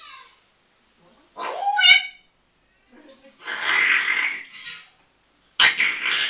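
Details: Pet African grey parrot talking away and having a laugh: a short harmonic rising-and-falling call, then two loud hissing, breathy bursts separated by silence.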